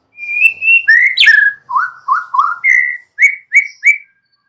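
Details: Young wild forest white-rumped shama singing, used to provoke other shamas to reply: a clear run of varied whistled notes, some sliding upward, some dipping, ending with three short bright repeated whistles, with no background noise.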